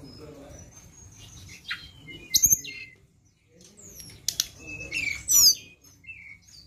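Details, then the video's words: Flowerpecker song used as a lure: thin, very high chirps and sharp twittering notes in short bursts separated by pauses, with faint low background noise. "Pancingan Ampuh BURUNG TLEDEKAN"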